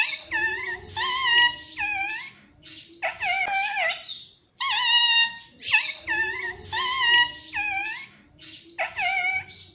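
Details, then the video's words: Indian ringneck parakeet, a pet, talking continuously in repeated harmonic phrases, syllables with dipping then rising pitch, delivered in quick groups over ten seconds with a low steady hum underneath. "parrot talking mummy papa || मम्मी पापा बोलता तोता"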